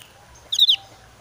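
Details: Javan grey-throated white-eye in breeding season, highly emotional and calling to challenge a rival, gives one quick phrase of three high, sharp whistled notes.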